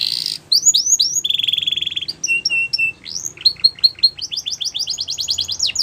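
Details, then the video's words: Varied canary singing: a brief harsh note, rising whistles, a steady rolling trill, spaced pure piping notes, then accelerating sweeps into a quick repeated run. "The Best Canary Singing"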